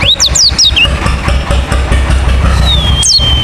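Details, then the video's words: Calls of a wild forest white-eye used as a lure for others to reply: a rapid cluster of high descending chirps, then a long thin level whistle and one more falling note, over a constant low drone. "Panggilan Suara Burung Pleci Ngalas Gacor - Topcer Langsung Nyaut"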